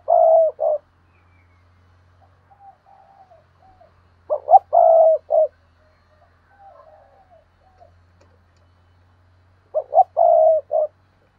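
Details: Decoy spotted dove giving its cooing phrase three times, each made of short quick coos and a longer held coo, with soft quiet notes and a faint low hum between phrases.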